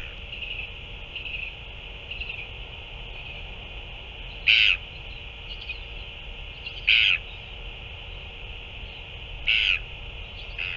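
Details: Northern royal albatross recorded during a feeding of a chick on 9 February 2024: faint early notes, then three clear, harsh, buzzy calls about two and a half seconds apart, plus a trailing partial call, over continuous hiss.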